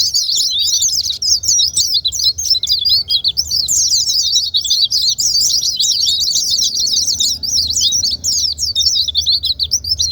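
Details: White-eyes singing a long, breathless cascade of high, rapid twitters and trills for about ten seconds, meant to coax silent white-eyes into song.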